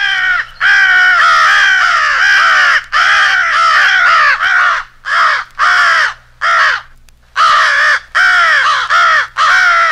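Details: Rally calling by American crows in a staged crow-versus-owl fight for hunting: a dense stream of rough, raspy caws, mostly in drawn-out strings, broken by a few brief separate notes and short pauses.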